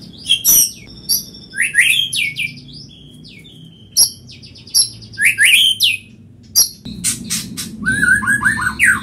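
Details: White-rumped shama singing energetically: dense sequences of loud, slurred whistles, stacked high chips and rolling descending phrases, ending in fast rattling notes over a faint low hum.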